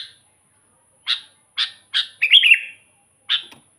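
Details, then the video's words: Lure song of a sooty-headed bulbul: three evenly spaced sharp chirps lead into a short bubbly, warbled phrase, then one final chirp, with a steady thin high hiss underneath. "suara burung kutilang gacor full buat pancingan kutilang pikat"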